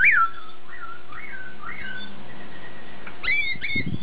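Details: A caged Hong Kong-type masked laughingthrush with an "imported" voice gives a string of loud, slurred whistles, each note swooping down then up, over a faint low indoor hum.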